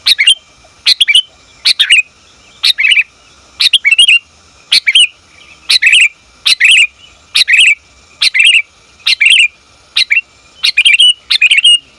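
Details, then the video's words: Female sooty-headed bulbul calling its mate, used for luring bulbuls: a long, steady series of sharp chirp bursts, mostly paired notes, repeated nearly every second without pause. "Suara Burung Kutilang Betina Memanggil Jantan"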